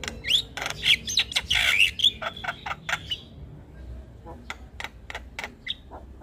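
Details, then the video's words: Jalak kebo, the black-winged myna, chattering without pause: raspy rasping bursts and bent whistled notes tumble together at first, then thin to sharp isolated clicks and one short whistle. "Jalak kebo gacor Ngoceh tak Henti Henti"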